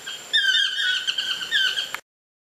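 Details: Wild chestnut-mandibled toucan in trees at Lapa Rios Ecolodge on Costa Rica's Osa Peninsula, giving one sustained, rich yelping phrase with strong overtones that wavers and dips, lasting over a second before ending abruptly.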